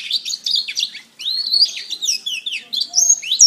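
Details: A canary sings a masteran for bird training: rapid, high, sweeping chirps, a brief silence after about a second, then a slurred rising phrase and tumbling twitters ending in a sharp whistled note.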